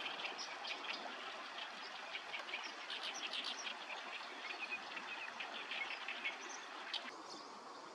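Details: A Light-vented Bulbul, a summer visitor in Korea, recorded between May and August 2024, gives a steady stream of quick, sharp, fairly high chirps and chattering notes over a constant hiss of outdoor background noise.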